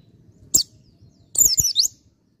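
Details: White-eye (pleci dakun), 'ngalas' singing near 'nembak': one sharp high chirp, then a brief tumbling run of high, slurred, squeaky notes.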